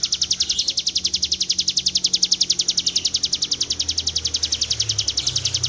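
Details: Ciblek gunung, the Hill Prinia, giving a drawn-out 'ngebren' trill for training other birds: dense high buzzy pulses repeated rapidly and evenly, slightly wavering in loudness, faint low hum underneath.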